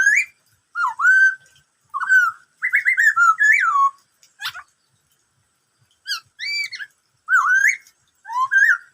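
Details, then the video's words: Lively black-throated laughingthrush singing "bắt cô trói cột" phrases: a rapid run of whistled slurs and quick doubled notes, then a pause and more rising-falling whistles. "em khướu bạc má hót bắt cô trói cột"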